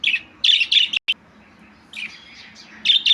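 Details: Budgerigar chattering in quick, bright chirp clusters, a pair of bursts at the start and another pair near the end, broken by a single sharp click and a quieter warbling stretch in between.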